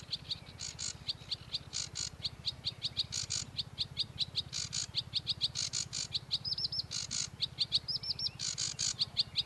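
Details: Sedge warbler (Acrocephalus schoenobaenus), song.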